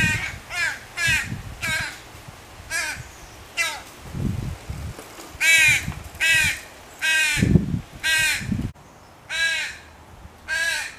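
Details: Crow fledgling screaming to its mother for food: harsh, nasal caws with stacked harmonics, about eleven in a row, some quick pairs, while faint low rumbling thuds sit underneath.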